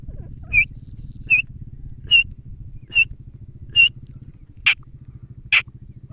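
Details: Grey francolin giving single, clear, high whistled notes, evenly spaced about every eight-tenths of a second. The last two notes are louder and rougher, over a steady low engine-like hum.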